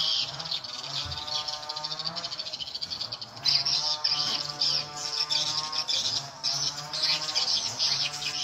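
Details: Lure playback for edible-nest swiftlets, set at nine o'clock volume so birds gather quickly: dense, shrill twittering chirps running almost without pause over a constant low drone.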